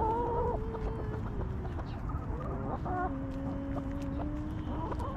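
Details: Backyard hens relaxing in their coop give a sustained, even, murmuring tone with short clucks breaking in. A low hum sits under it.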